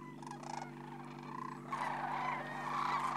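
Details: Flock of sandhill cranes at a spring migration roost on the Platte River, Nebraska, in March. Rattling, bugling calls overlap, growing louder and denser in the second half over a constant low drone.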